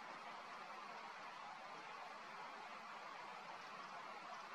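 Steady broadband hiss fills the recording throughout, with no animal call standing out.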